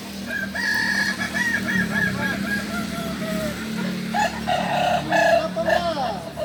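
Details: Kukuak balenggek chickens at a singing contest final, Ampang Kualo, Solok, 8 September 2024; several roosters crow at once in a dense chorus of wavering tones, louder crows late, steady low hum and crowd noise underneath.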